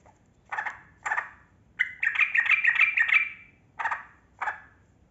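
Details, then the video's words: Lively trucukan kebo, the yellow-vented bulbul, singing a long ropel panjang used to coax silent birds into song: two rough chucks, a rapid gurgling, bubbly run of notes, then two more harsh chucks. "Trucukan Kebo Gacor Ropel Panjang Pancingan Burung Buka Suara"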